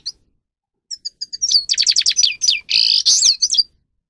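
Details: Grey-crowned goldfinch song for training: a few thin high chips, then a dense, rapid series of repeated twittering notes and a harsh buzzy stretch, ending in tinkling slurs.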